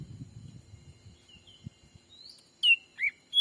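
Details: Lure call for wild black-capped bulbuls, daytime trapping in Sumatran forest: low rustling fades into soft wavering whistles, then three loud quick notes, one falling, one dipping, one high and level.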